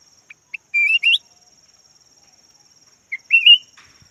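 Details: Red-whiskered bulbul, yellow form, kept as a decoy bird, singing two bouts of bubbly, rising whistled warbles about two and a half seconds apart, each led by short clipped notes, over a steady high whine.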